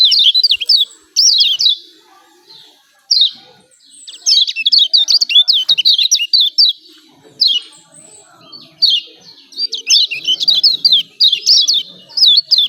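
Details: Yellow white-eye (kecial kuning) from Lombok giving rapid 'ciak ciak' calls, used to stir silent caged birds into singing: high, sharp downslurred chirps in dense bursts separated by short pauses.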